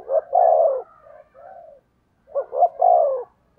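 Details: Spotted dove kept as a decoy to lure wild doves, cooing in two phrases, each with quick doubled low notes leading into a long, slightly falling hoarse coo, with a soft murmured note between them.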